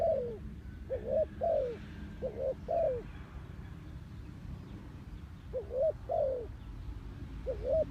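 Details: Spotted dove kept as a lure for trapping wild doves, cooing in a run of five low, slightly falling notes, then a pause and a few more coos, with low background rumble.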